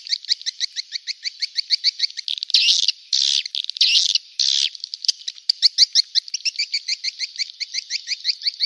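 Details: Swiftlet lure call for attracting swiftlets, played through an amplifier: a fast, steady series of sharp high chirps, about four per second, interrupted midway by three longer buzzy rattles, then the chirping resumes.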